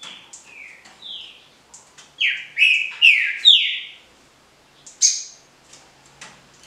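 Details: Green-winged saltator in the Paraná liso batido style: a sequence of clear, falling whistled phrases, several repeated in quick succession around the middle, ending with one bright high note and quieter chips.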